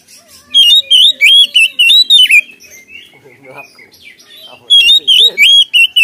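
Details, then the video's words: Oriental magpie-robin, loud gacor ngeplong lure song: clusters of sharp wavering whistles, a quieter mixed stretch of softer notes, then another strong whistled run. "Kacer Gacor Ngeplong Full Isian Suara pedas"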